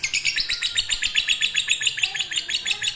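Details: Lovebird song in fighter or konslet style, played as a master to prompt silent birds: bright, clipped chirps delivered in a lively, slightly uneven chatter over three seconds.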